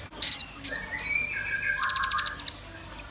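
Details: Red-billed nuthatch and white-rumped shama singing actively: sharp high chirps, then long whistled notes sliding between pitches, ending in a quick burst of rapid clicking high notes.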